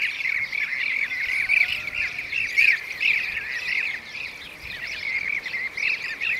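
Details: ['Blue-cheeked bee-eater seen catching a bee; about one burry, rolled call a second, irregularly spaced and overlapped by more calls of the same kind in the background.']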